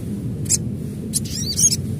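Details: Adult crimson sunbird in the wild giving high, thin, metallic chirps: a single note, then a quick twittering cluster of rising and falling notes over a constant low rumble.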